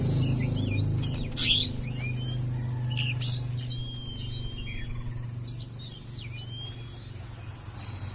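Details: Oriental magpie-robin singing in the 'konslet' style: varied high whistled notes, quick upward and downward sweeps and a long thin level whistle, given in irregular bursts over a steady low hum.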